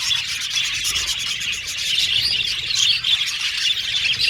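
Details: A colony of budgerigar parakeets warbles in a busy, high-pitched tangle of chirps and squeaks that swells slightly toward the end.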